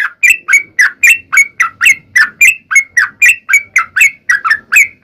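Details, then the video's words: Fighting song of a sooty-headed bulbul played to make other bulbuls answer at once: brisk, regular chirped notes about three per second, each with a short upward flick, faint low background hum. "KICAU SUARA trucukan gacor TARUNG ROPEL PANJANG ampuh MENJADIKAN burung trucuk gacor NYAUT SEKETIKA"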